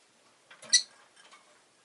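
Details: ['Rosy-faced lovebird (Agapornis roseicollis) gives a single short, harsh, high chirp, with faint softer chatter afterwards in an otherwise quiet room.']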